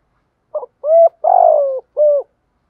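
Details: Spotted dove, a female decoy calling to lure males, gives one phrase: a short clipped note, a hollow coo, a longer rough falling croo, and a final clear coo, low-pitched with no other sounds.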